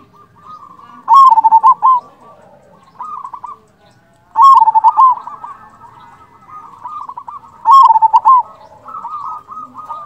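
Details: Local Indonesian zebra dove singing a lure song meant to make other doves answer; three loud stuttering phrases of quick, bubbly cooing notes arrive about every three seconds, with softer cooing from other doves between them.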